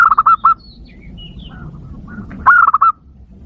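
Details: Zebra dove used as a lure to stir up wild doves. Quick bursts of staccato, mid-pitched coos are repeated about two and a half seconds apart, with faint high twitters of other birds between them.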